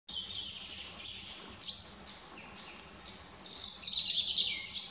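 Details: Five-week-old northern goshawk chicks, recorded from about 60 m, give a thin, high, chittering stream of overlapping food-begging calls while one feeds, swelling into a louder, harsher burst toward the end.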